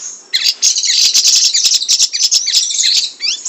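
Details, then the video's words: Brown shrike (siri-siri) in full, fast, dense song used as a tutor for other songbirds: a rapid, high-pitched chattering stream of scratchy notes and quick trills with no pauses. "Burung Siri Siri gacor dor Sped Rapat full isian"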